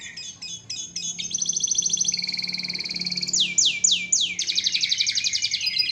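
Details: Canary song used as a training model for songbirds: choppy opening notes, a long double-toned rolling trill, three swooping downslurs, then another fast trill.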